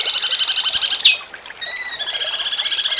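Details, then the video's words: Cucak cungkok song in the jengking munting style, a master track for training contest birds. A pulsing, buzzy trill is cut by a sharp downward squeal, followed by a short pause, a crisp stacked whistle, and the trill again. "MASTERAN CUCAK CUNGKOK JENGKING MUNTING"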